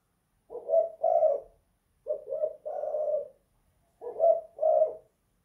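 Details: Three low, mellow coo phrases from a spotted dove kept indoors, of the 'kuk 2 / guk 1' style; each pairs a clipped note with a fuller rolling coo, the middle phrase stretched longer.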